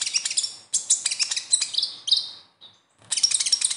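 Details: Konin (kolibri ninja, a sunbird) in besetan style, used to prompt untrained caged konin to sing: rapid, high, twittering phrases of sharp chirps and thin whistles, broken by a short pause before another dense burst.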